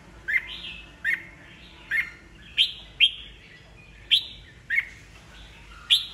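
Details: Red-whiskered bulbul, old wild-caught cage bird, singing to goad rivals into a singing contest; short sharp whistled notes, each with a downward slur, repeated roughly every second against a faint background hum.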